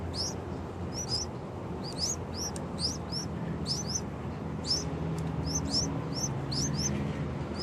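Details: Two baby Yellow-vented Bulbul chicks making loud sounds: irregular bursts of high, upward-flicking squeaks, often paired, set against heavy low rumbling background noise.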